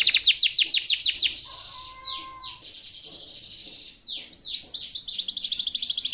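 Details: Canary master song for young birds to learn: quick descending trill notes, a pause with a steady lower whistle, then a rapid high rattling trill; faint background noise.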